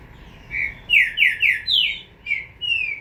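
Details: Green-winged saltator chick delivering a phrase of clear, slurred whistles: a short opening note, three rapid falling notes, one higher note, then two drawn-out whistles, over a light hiss.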